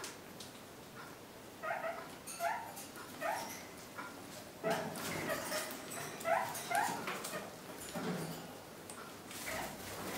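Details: Pet kakariki nibbling fresh spring currant and blackberry branches, giving about a dozen short, nasal yelping notes in loose pairs and groups, over rustling leaves and clicking twigs.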